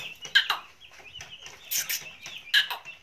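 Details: Black francolin in Pakistan giving harsh, rasping broadband notes in short bursts, some paired in quick succession, with softer chirps from other birds between them.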